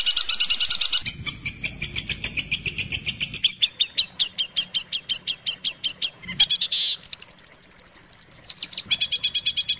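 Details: Long-tailed shrike tutor song for teaching captive shrikes: a varied sequence of rapid high chattering notes, shifting into clearer whistled repeated notes and bursts of buzzy trills, with frequent changes in pattern.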